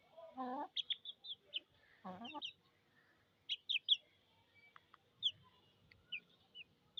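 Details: Chicken chicks calling from thirst: sharp, high, downward-sliding peeps come in scattered bursts, with two lower, harmonic-rich cries near the start and a faint steady hum underneath.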